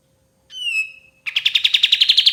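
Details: A white-shouldered triller, recorded as master song for songbird training, gives a high downslurred whistle, pauses, then launches into a brisk, accelerating trill of sharp repeated notes.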